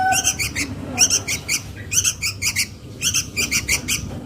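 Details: Lure sound of a sooty-headed bulbul chick calling its mother: scratchy chirps in quick groups of three or four, repeated steadily, with a soft low whistle at the start and steady background hum.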